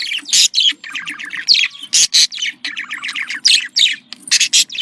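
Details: Domestic budgerigars, male and female, with sounds used to stimulate breeding: dense, continuous chattering warble of rapid scratchy chirps and squeaks, rising and falling without pause over a faint low hum.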